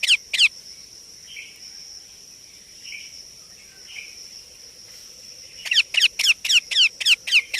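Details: Indian ringneck parakeet chick: two harsh calls, a pause with faint soft chatter, then a quick string of about seven scratchy, repeated calls over a persistent high hum.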